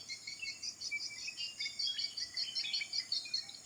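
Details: Birds singing in the morning, several high chirps and short twittering notes over a steady hiss of background noise.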